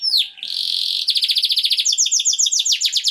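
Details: Canary singing a powerful mating song: a falling whistled slur, then a steady buzzy tone, then fast rhythmic trills of sharp chirps, rising into a higher, quicker series near the end.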